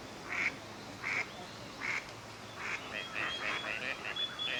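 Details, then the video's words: Gadwall courtship display at a park pond in Chiba, Japan, November 2025, winter visitors forming pairs. Three spaced nasal notes about a second apart, then a faster run of short calls with a faint high whistle. "オカヨシガモ鳴き声 (Mareca strepera) - カモの鳴き声 / Gadwall sounds"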